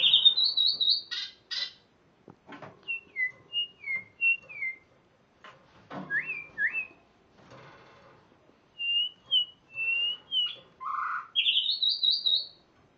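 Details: Spotted morning-thrush (Cichladusa guttata), song.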